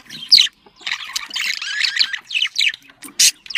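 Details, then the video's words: Budgerigar warbling, a pet bird of an Australian species kept to stimulate breeding; busy chattering of high chirps, squeaks and scratchy notes, with a few sharp louder chirps. "muhabbet kuşu kızıştırma sesi muhabbet kuşu sesi muhabbet kuşu çiftleştirme sesi"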